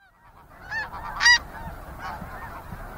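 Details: A flock of snow geese gives nasal, barking honks, with two louder calls near the start and softer overlapping calls after, over a low background rumble; occasional flight and insect sounds.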